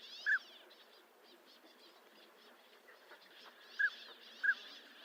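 Northern pintail giving three short, soft whistled notes, one early and a pair near the end, over a steady wash of higher bird chatter.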